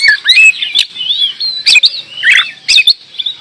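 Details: Oriental magpie-robin (kacer) delivering lively gacor door song: twisting whistled phrases alternating with bursts of dry, clicking chatter, roughly one burst every second.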